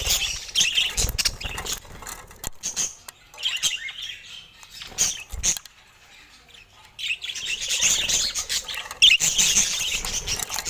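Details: Pet budgerigars with colour mutations chattering in bursts of raspy, high twitter, fading to a near-quiet lull midway before the lively warbling resumes.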